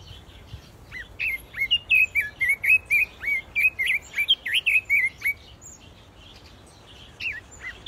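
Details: Aviary Pekin robins deliver a long, rapid string of clear whistled, slurred notes, roughly four per second, over about four seconds, followed by a few softer scattered chirps.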